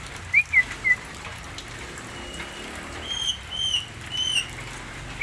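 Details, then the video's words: Various sounds from a Javan myna: three quick clipped whistles in a row, then a series of drawn-out, slightly higher whistles with bright overtones, one more short whistle closing, against soft background hiss. "Suaranya macam2 burung jalak kebo"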